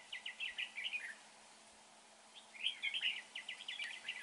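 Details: Red-whiskered bulbul at a trapping site, said to sing well: a fast chattering phrase, a gap of about a second, then a louder burst of tumbling whistled notes that ends in rapid repeated chips.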